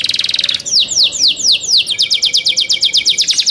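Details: Young caged canary singing a quick buzzy trill that shifts into a series of clear descending whistled notes, then a faster rolling run of repeated chirps, loud and high.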